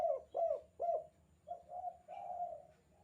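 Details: Tekukur, or spotted dove, giving its 'kuk 2' call for bird training; three quick clipped coos followed by three smoother, longer coos in a low voice.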